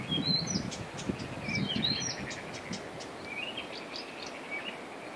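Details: Blyth's reed warbler, later ringed, singing on Christiansø, Denmark, late May 2013: a varied run of short, high whistled and slurred notes in brief phrases, over a steady low rumble of wind or surf.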